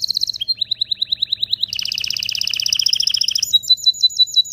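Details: Canary song to ready males and females for mating: quick falling chirps, then a dense buzzy double-pitched roll, ending in a higher repeated whistled phrase, sharp and loud throughout.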